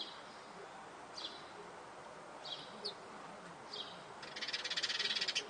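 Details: A family of young sparrows feeding on a terrace, siblings vigorously disputing food, give a few faint, thin high chirps, then a rapid, buzzy pulsed chatter over soft hiss.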